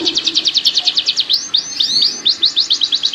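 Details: Canary mating call used to encourage pairing and raise breeding readiness: fast series of sharp downslurred high notes, a few sweeping whistles mid-phrase, then the rapid notes resume.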